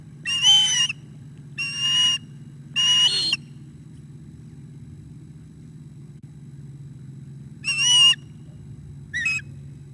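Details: Osprey at its nest during a fish handover, 9 August 2021 at 11:37 am; three harsh whistled calls, a pause of several seconds, then two more, with a continuous low hum.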